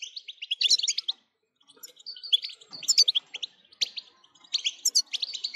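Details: European goldfinch in full song, meant to make listening goldfinches sing without stopping; high, jangling twitters and clipped chirps in fast runs, with one short pause early on.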